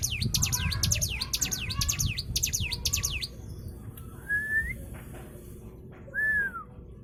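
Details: Used to coax other birds into song, a white-eye gives quick, high, downward-sweeping chirps for about three seconds, followed by two separate clear whistles, one rising and one falling, against low rumble.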